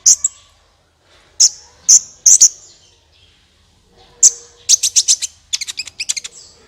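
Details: Sunbird song used as a lure to get other birds singing: sharp, high, clipped chirps in small bursts separated by pauses, ending in a fast run of about ten ticking notes.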